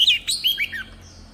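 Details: Oriental magpie-robin lure bird in forest-style song: a brief burst of three or four quick whistled notes stepping downward, followed by quiet.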